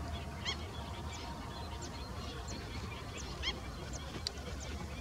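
A young black-winged stilt gives short, nasal, yelping notes, roughly one or two a second, over a steady low rumble of wind.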